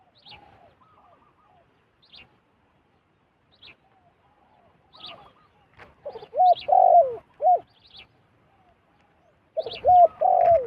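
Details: Wild zebra dove flying down toward a decoy bird; after scattered soft notes, loud arched cooing notes come in quick bursts around six to seven seconds and again near the end.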